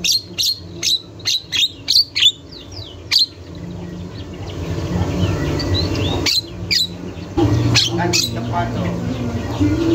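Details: Javan myna (jalak kebo) in a training recording, keen and vocal: a string of loud, clipped harsh notes, one about every half second, then a quieter stretch and a few more sharp bursts near the end.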